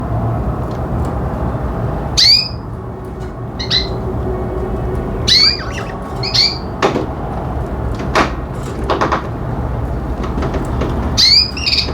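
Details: Pet budgerigars indoors giving short bright chirps and squawky notes in scattered bursts, each sweeping through high pitches, over a steady low hum in a small room.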